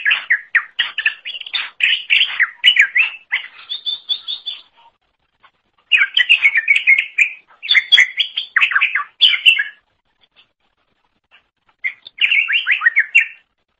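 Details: Greater green leafbird in full song for tutoring songbirds: dense, fast, jumbled warbling and chirping phrases lasting several seconds each, separated by brief pauses, with a clean background.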